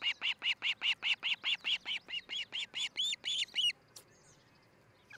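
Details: Osprey at its nest in Charlo, Montana, on a nest camera, 13 July 2018, early morning around six: a fast, even run of about seventeen sharp whistled chirps, then a short pause with faint background hiss.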